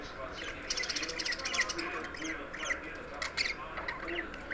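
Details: Happy pet budgerigar chattering with quick, scratchy warbles and squeaky chirps in a steady stream.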